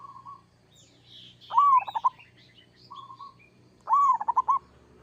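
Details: Local zebra dove giving its kerot song, meant to draw an answer from other doves: soft even coos leading into two arched, warbling phrases that end in rapid clipped notes, while thin higher chirps of other birds sound behind.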